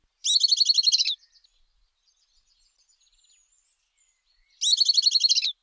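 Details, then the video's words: Southern beardless tyrannulet (risadinha) singing: a rapid, dense trill of about a dozen bright, high notes lasting under a second, given twice about four seconds apart, with quiet background between. "Risadinha - Pássaro - Canto"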